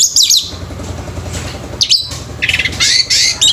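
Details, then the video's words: Orange-headed thrush, a male, in a singing competition: short bursts of high, squeaky, buzzy phrases separated by pauses, with a steady low rumble of background noise throughout. "ANIS MERAH PUNCAK SENI BIRD COMPETITION"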